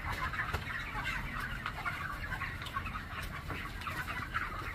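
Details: Flock of about 4000 broiler chickens on a poultry farm, heard as a steady murmur of many overlapping clucks and short peeps with low rumbling beneath.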